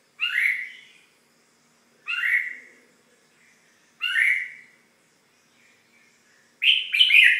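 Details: Repeated red-whiskered bulbul calls: three similar sharp, swooping chirps spaced about two seconds apart, then a quicker bubbly double note at the end, clear and close over silence.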